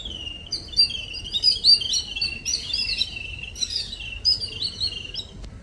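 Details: Small birds visiting in the morning chatter steadily. High, sharp chirps and short whistled trills overlap, roughly four notes a second, with a low steady rumble underneath.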